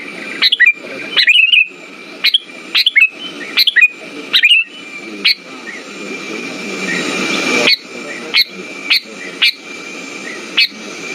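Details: Lure song of a sooty-headed bulbul for rousing silent birds. Clusters of quick, sharp chirps open the recording, then sparser single notes follow over a soft background hiss.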